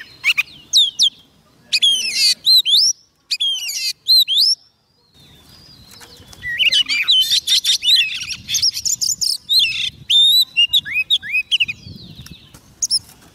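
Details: Song of a White-rumped shama calling wild birds: clear rising and falling whistles in quick phrases, a short silence, then a long dense stretch of rapid chirps, trills and whistled slurs.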